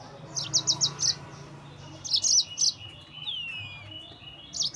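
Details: Energetic yellow-fronted canary song used to provoke rivals: a fast string of five high chips, then a brighter trilled phrase, a downward-sliding whistle and a final high note, over a light background hum.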